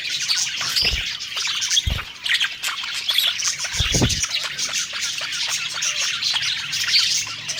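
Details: Budgerigars singing happily while eating: high chattering warble from several birds, broken by three dull low knocks or thumps near the first, second and fourth seconds.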